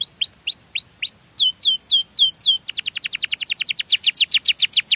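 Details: Sweet canary song meant to attract others of its kind: four hooked whistles, then three slower down-slurred notes, then a long fast trill of sharp descending strokes.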